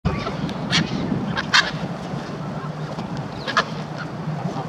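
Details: Quarrelsome grey herons arriving to be fed beside the Serpentine: three harsh, rasping squawks at irregular intervals, the middle one loudest, over a steady low murmur of background noise.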